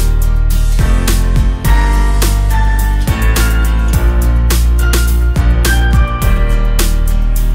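Instrumental music with steady low bass, plucked guitar-like notes and sustained melodic tones throughout; no animal calls stand out.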